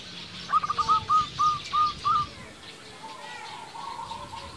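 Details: Local zebra dove song meant to provoke rival doves into answering. A series of clean, evenly spaced coos starts with a quick stutter. Faint coo phrases from another dove follow, over a hissy background.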